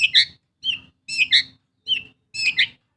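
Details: Long-tailed shrike, kept as a pet and used as a lure to set silent birds singing: short, scratchy, high double notes repeated about every half second, over a low rumbling hum.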